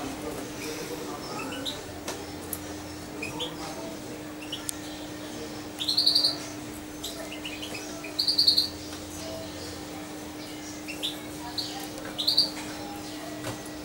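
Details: About two months old, a hand-reared European goldfinch utters short high twittering bursts every two seconds or so, with quiet gaps and a faint constant hum behind.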